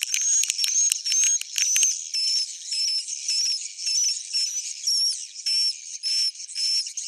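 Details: Roosting call of edible-nest swiftlets, suara inap style, meant to draw birds in: crackling chirps at first, then a steady series of short, clear high whistles recurring roughly twice a second above faint twitter.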